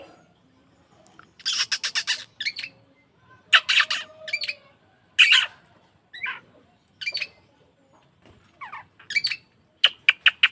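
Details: Oriental magpie-robin lure to get caged birds singing: clusters of raspy, scratchy notes and sharp chips, a few swept whistles, ending in quick bright ticks; faint background hiss.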